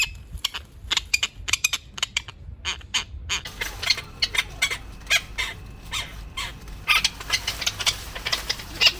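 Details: Male tropicbirds chasing and attacking each other over mating rights and a nest site: a rapid rattling chatter of harsh notes, then a continuous stretch of overlapping screeches and grating calls.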